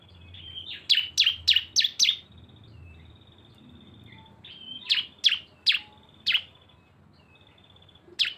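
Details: Cisem lure song joining two birds: a quick burst of five sharp chirps, thin drawn-out whistles, then a second burst of chirps and a final single note.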